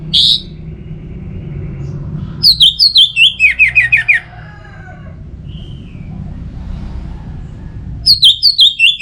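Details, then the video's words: Orange-headed thrush song from Singaraja, northern Bali, played to stimulate singing: an opening note, then a long series of quick falling whistled notes, a quiet gap, and the same descending series again near the end. "Pemancing Burung ANIS MERAH Agar Selalu Gacor"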